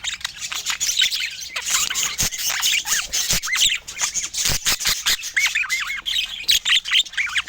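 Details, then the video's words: Budgerigars filmed indoors in natural light, one bird warbling with rapid rising and falling chirps and squeaks over background flock chatter, broken by sharp taps and short gaps. "Healthy Food for Budgies with Natural Sounds"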